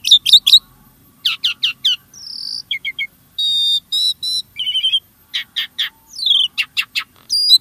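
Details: Starling song for prompting caged birds: sharp chattering notes, a smooth whistle, a rapid buzzy series and repeated sweeping calls, with silent gaps between phrases.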